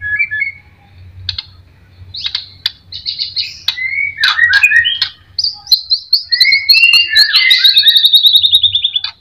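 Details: White-rumped shama singing as a lure recording meant to provoke other birds to sing: short whistles and chips build into fluty warbles, then a long rapid run of repeated high clear notes gradually descending.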